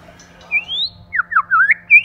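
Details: White-rumped shama, male and female in 'kích lửa' singing: one long rising whistle followed by a quick string of bending, looping whistled notes and a final upward sweep, with faint hum.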